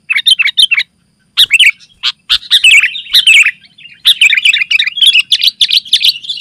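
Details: Sooty-headed bulbul song used to call other bulbuls and as a tutor for kept birds: quick chirps, a brief silence, then dense, warbling, chattering phrases building into a continuous jumble of notes.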